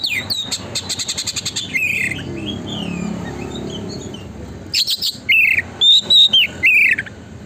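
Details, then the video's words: Lure song of an energetic Oriental magpie-robin, meant to make a listening bird open its tail: a rapid train of clipped repeated notes, a pause with faint low noise, then bright whistled notes given about once every half second. "burung kacer gacor konslet,pancingan agar kacer buka ekor"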